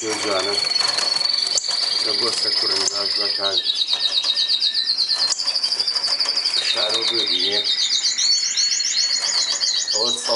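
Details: Melanin canary song made of successive high rolling trills, each tour stepping to a new pitch, some buzzy and some finely pulsed, with brief chips between phrases. Low voice-like tones are heard at times.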